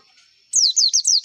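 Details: White-eye lure song for contest birds: after a brief hiss, five rapid high notes, each dropping sharply in pitch, delivered in a tight burst.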